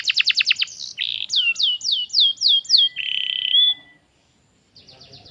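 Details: A canary, in a lure recording meant to get other canaries singing, sings a rapid high trill, then six bright downward-swept whistles at a steady pace, a long buzzy note, and after a pause a faint chatter.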